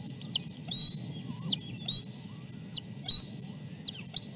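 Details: Nest chick, oldest of three siblings, during a fish feeding; it has something stuck in its throat. Three drawn-out high whistles, each gently rising then dropping sharply at the end, over a steady low rumble.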